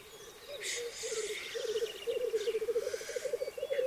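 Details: Black grouse cocks displaying at a lek in 2023, a ritual of fights and mating: a rolling, bubbling coo grows stronger and more pulsed, with sharp hissing sneeze-like bursts near the start and in the middle.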